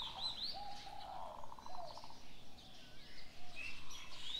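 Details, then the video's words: Morning birds heard together: high whistled slurs, a brief low trill, and soft cooing, with scattered chirps in the background. "Birds sounds on the morning 清晨鳥鳴"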